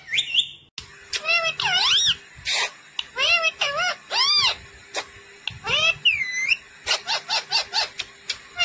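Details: Talking pet parrot, said to say "mummy papa": a rapid string of loud, arched, harmonic squawks and whistled syllables, some rising then falling, with brief pauses and a faint steady hum underneath.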